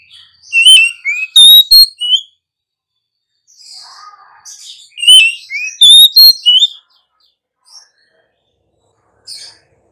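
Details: Female Oriental magpie-robin singing to prompt wild-caught birds into song. A phrase of varied whistled and slurred notes is repeated twice, with soft chatter and quiet pauses between the phrases.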